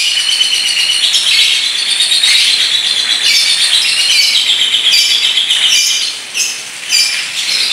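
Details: Long trill from a lovebird in an unusual style: rapid, shrill chattering notes packed into a nearly unbroken high stream, with brief dips near the end before the trilling resumes.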